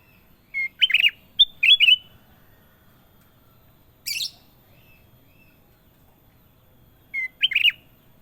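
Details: Sooty-headed bulbul, locally kutilang emas, giving energetic song: quick liquid, rolling phrases of two or three warbled notes at the start, a single harsh buzzy note midway, then another bubbly phrase near the end.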